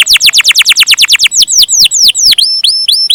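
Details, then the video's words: Canary singing a long-roll gacor song: a rapid, even trill of steeply falling sweeps, about five per second, then slower ringing downslurred notes with a sustained high whistle above. "Burung Kenari gacor rol panjang"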